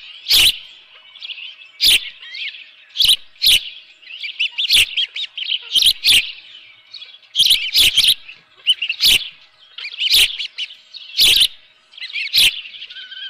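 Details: Osprey calling at the nest on 24 June 2018 around 7:32 AM, a live fish present; thin piping chirps repeated in clusters, punctuated by sharp broadband knocks every second or two.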